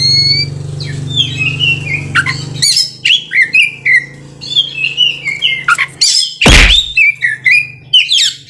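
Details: Oriental magpie-robin (kacer) singing in the vigorous gacor style, rolling (ngerol) and shooting (nembak): high whistled phrases and sharp slurred notes in quick bursts, a low steady hum under the first part, one loud broadband crack midway.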